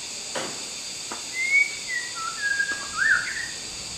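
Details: Wild white-rumped shama singing melodiously: a few clear whistled notes, some sliding and some level, spaced over several seconds, with a brief upswept phrase near the end over a steady high background hiss.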